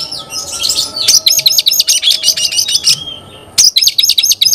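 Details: Oriental magpie-robin singing vigorously, claimed to agitate other magpie-robins. A scratchy warble gives way to a run of quick, high, repeated chirps, then a pause and a fresh burst.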